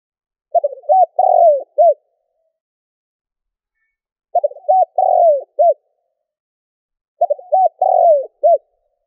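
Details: Spotted dove cooing, a call meant to stir a decoy dove into calling quickly: three low, hollow phrases, each a stuttering run of short notes, a longer drawn coo and a closing note, repeated about every three seconds.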